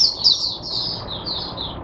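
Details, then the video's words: Caged oriental white-eye used as a teacher bird for other white-eyes, recorded on 22 January 2022, singing a high, rapid run of thin twittering notes that slur together without pause. "Mata Puteh Diva Sunday buka sing teacher bird for my other mata putehs"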